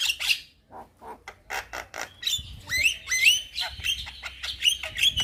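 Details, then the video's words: Young Javan myna singing full of varied phrases, the kind said to make other mynas answer: clipped high chips first, then a string of sweet upslurred whistles repeated steadily toward the end. "Burung Jalak Muda Pasti Nyaut Saat Dengar Kicauan Jalak Kebo Muda gacor Full Isian"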